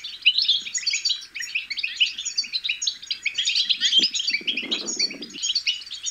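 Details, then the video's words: European goldfinch chicks' song, played to stimulate goldfinches to sing; a dense, continuous high twittering of rapid tinkling and buzzy chirps without pause, with a brief low rustle midway. "بتبتة الحسون الأكثر تحفيزا أن لم يغرد الحسون فعلم حسونك انثى او ابكم بتبتات فراخ الحسون الفتاكة"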